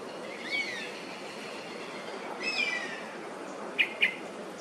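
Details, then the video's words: A perched Oriental honey buzzard in Singapore, a winter migrant there, calls repeatedly in protest at Oriental pied hornbills invading its roost. It gives two thin, high, falling whistles about two seconds apart, then two short sharp notes; its circling companion calls faintly in the background. "Bird Call: ORIENTAL HONEY BUZZARD"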